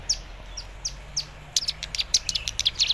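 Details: Young caged cigun learning a lure song for an untrained cigun; four spaced downslurred chirps, then a quick burst of high, sharp twittering notes.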